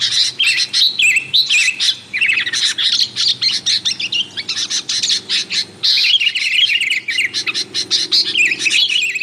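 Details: Nonstop sooty-headed bulbul chattering, played to attract wild bulbuls: dense streams of high chirps, harsh squawky notes and slurred whistles overlapping almost continuously, with only brief breaks, a faint low hum beneath.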